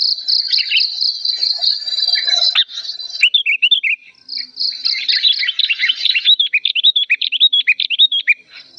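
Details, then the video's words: Old sooty-headed bulbul in an emotional, loud and clear agitated outburst: a high sustained tone with scattered chirps, then a dense stream of quick, bubbling, repeated notes. "suara amukan kutilang tua emosi lantang dan jernih"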